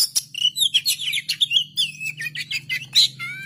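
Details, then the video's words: Oriental magpie-robin pouring out a fast, continuous string of whistled and chirped notes, with many sliding and wavering phrases and a long falling whistle at the end. A low hum sits beneath. "KACER GACOR"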